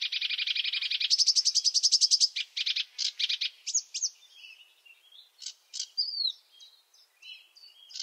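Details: Sedge warbler song opening with a dense, fast trill of buzzy notes that rises slightly. It then breaks into slower, varied phrases of chirps and clicks with one sweet downslurred whistle.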